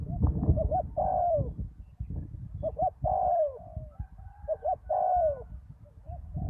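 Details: Spotted dove cooing at a ground decoy site after a storm: paired short notes leading into a long, falling coo, three phrases separated by short gaps, steady low rumble underneath.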